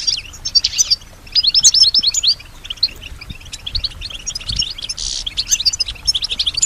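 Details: European goldfinch, a female, answering and imitating nearby sounds with a varied, high, liquid twitter of quick chirps and slurred notes, broken by a brief buzzy hiss near the end, over soft low background noise.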